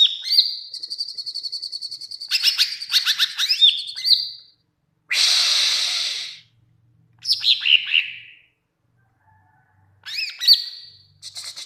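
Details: Greater green leafbird song for training other birds: a drawn-out high whistle, busy chattering, and slurred descending notes, with a loud burst of hissing noise in the middle.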